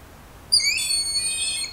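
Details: Broad-winged hawk from Estrie, Quebec, giving a single high, thin whistled scream that starts abruptly, holds steady and slightly wavering, and continues to the end over a quiet background.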